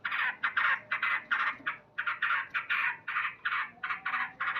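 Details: Morning song of a male sooty-headed bulbul: harsh, full-bodied chirping notes in quick pairs and groups, repeated steadily, each burst rough and loud.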